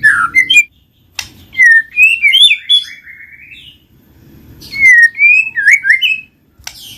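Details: Lure recording of white-rumped shama song, meant to prompt quiet birds to sing: rich, fluting whistles sliding up and down in linked phrases, with short sharp notes between two long musical runs.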